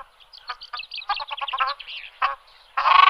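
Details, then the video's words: Ruddy shelduck giving a run of nasal, honking notes in quick bursts, ending in a loud, harsh braying call. "Голоса птиц: огарь, или красная утка"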